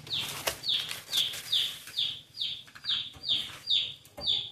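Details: Newly hatched chicks in a cardboard box, already sold and awaiting delivery, give shrill, high peeps that slide downward, about two every second, over a faint low hum.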